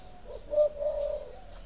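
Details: Spotted dove coo used to stimulate breeding and egg laying: a short low note followed by a longer, steady, hollow coo, all held at one mellow low pitch, with faint background hiss.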